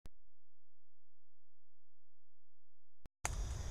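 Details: Near silence with a low steady hum, two sharp clicks, and a final burst of broadband noise; no animal sound is heard.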